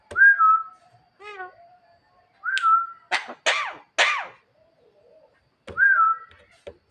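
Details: Javan myna in lively night song, calling to a female: falling whistled notes alternate with a short warbled phrase and three harsh, buzzy bursts, then the whistle returns.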